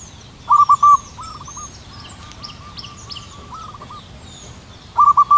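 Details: Local zebra dove in the wild on a cool morning, singing high up: a quick burst of short clipped cooing notes, then a long trailing echo of softer rolling coos, then another burst at the end.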